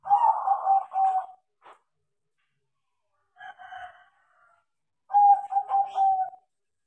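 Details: Trained crossbred perkutut, a tame zebra dove, coos in three separate phrases: a loud rolling phrase, a softer one about three seconds later, then another strong rolling coo sequence at steady pitch.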